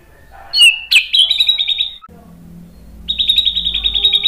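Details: White-rumped shama song played to provoke other shamas to sing: sharp chips and a buzzy trill, a quieter pause, then a steady, long rapid rattling trill to the end.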